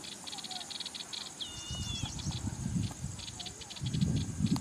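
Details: Yellow-eyed babbler gives a single clear whistled phrase that holds level and then slides slightly downward. Rapid pulsing insect buzzing runs throughout, with a low rumbling noise and a steady high-pitched insect drone.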